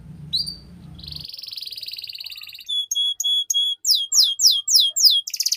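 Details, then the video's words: Canary master song for training young canaries to sing quickly and long. After brief low murmuring at the start, a buzzy sustained roll gives way to a series of repeated clear whistled notes, then rapid rising sweeps. "PANCINGAN Kenari PAUD Agar Cepat Bunyi || MASTERAN Burung KENARI Gacor Panjang"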